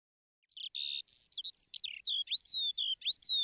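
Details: Woodlark (Lullula arborea) song: a quick run of clear, fluty whistled notes, some steady and some sliding up or down, about three per second against a silent background.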